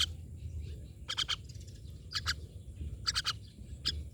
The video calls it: Myna birds